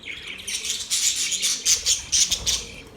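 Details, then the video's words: Budgerigars chirping: a rapid, busy stream of high, scratchy chirps and warbles, several notes per second with louder bursts, high-pitched throughout. "Budgies sounds | Budgies singing | Budgies chirping sounds"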